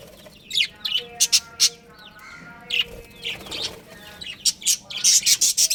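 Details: Pet budgerigar breeding pair gives scattered sharp chirps and a few whistled tonal notes, building into a rapid run of loud high chirps at the close.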